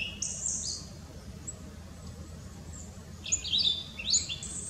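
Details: A Blue-and-white flycatcher, newly returned this spring, sings from a tree on 18 April 2016: high, clear whistled phrases with quick slurred notes, one short burst then a longer run after a pause, over a low steady rumble.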